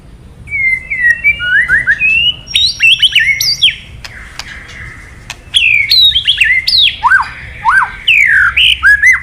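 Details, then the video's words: Male-provoking kretekan of a white-rumped shama: varied whistled slurs rising and falling, interspersed with sharp clicks and crackling notes, two active phrases separated by a quieter gap. "Suara KRETEKAN BURUNG MURAI BANGKITKAN EMOSI MURAI JANTAN KELUARKAN ISIAN! MURAI DIAM JADI NYAUT"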